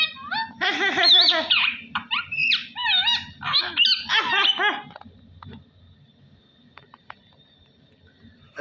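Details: Caged household parrot mimicking speech, a burst of wavering, nasal voice-like syllables and squeaky whistles over about five seconds, then near quiet with faint clicks and a low background hum.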